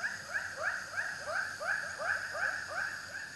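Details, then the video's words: A ruak-ruak, or white-breasted waterhen, calls in quick rhythmic rising croaks, roughly three each second, at an even moderate loudness over a low background rumble. "suara burung ruak ruak"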